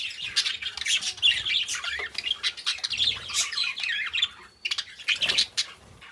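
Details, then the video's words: Two pet budgerigar companions chirping indoors: a dense, continuous chatter of scratchy warbles, rapid twitters and sharp squawky notes, mostly high-pitched, with brief pauses between bursts and no other sounds. "Cute Budgies Chirping: 2 Hours of Relaxing Parakeet Sounds"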